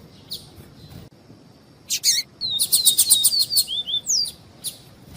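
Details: Double-collared seedeater singing the viviti song type, with female calls: harsh buzzy chip bursts, then a quick run of short descending whistled slurs with a few higher upswept notes, ending in scattered chips.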